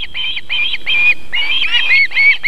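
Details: Whistled calls from an osprey nest in South Estonia as the female feeds her chicks on a July 2021 evening: six or so loud, slurred whistles in close succession, the later ones slightly overlapping.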